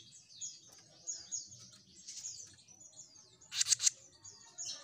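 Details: Jenggot Mini bird singing persistently: high, thin whistles falling in pitch, repeated in quick succession, with a short burst of loud clicking near the end.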